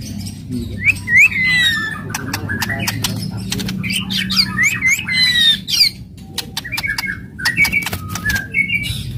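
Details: Fierce, aggressive White-rumped shama song of the kretekan and tembakan type, used to stir other shamas: scattered upslurred whistles and short squawky notes among dense sharp clicks, with a constant low hum beneath.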